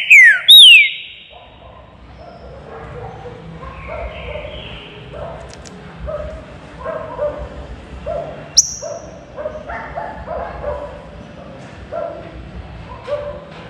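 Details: Green-winged saltator in an aviary, singing in the baruc style: a loud burst of sharp descending whistles opens, then fades to faint background chirps and distant bird calls.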